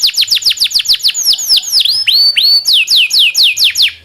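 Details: Local canary singing a tutor song meant for training other songbirds such as magpie robins: a fast series of high descending whistled sweeps, about five per second, then slower varied swooping notes and a final burst of quick downslurred whistles.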